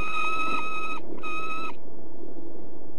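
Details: Two long, even, rasping notes from a peregrine falcon at De Mortel, Netherlands, each nearly a second long with a short pause between, over a low background rumble.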